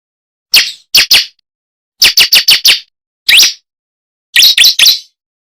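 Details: Bar-winged prinia (ciblek, prenjak jali) lure call used to draw wild birds into answering: sharp, high, clipped chirps in quick bursts of two to five notes separated by short silences, no other sounds.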